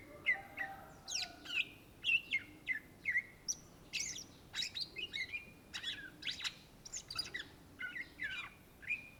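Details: Indonesian cucak ijo, the greater green leafbird, singing a lively varied song of crisp whistles, upslurred chirps and dry chatters, short phrases following each other closely.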